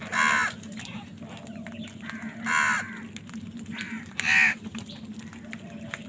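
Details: Crows fighting for food: three harsh, nasal caws spaced about two seconds apart, each about half a second long, with light ticking sounds and a low hum between them.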